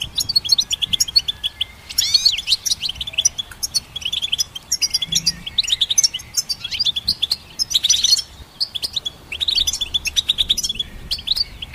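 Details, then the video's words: Goldfinch song offered for training songbirds: rapid, busy twittering of high chirps and short buzzy trills, phrases overlapping and running almost continuously over twelve seconds, with a brief pause near the middle. "Goldfinch Symphony"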